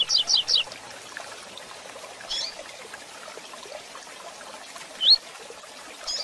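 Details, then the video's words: Coleiro in fast Tui Tui Zel Zel style, for training and breeding: three quick descending zel notes at the start, a soft chirp, then a single rising whistled tui after a long pause. "Coleiro Tui Tui Zel Zel Rápido de Fibra"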